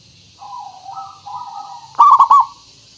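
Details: Lure song of a local zebra dove: soft, wavering low coos lead into one loud, quickly pulsed, bubbling coo phrase.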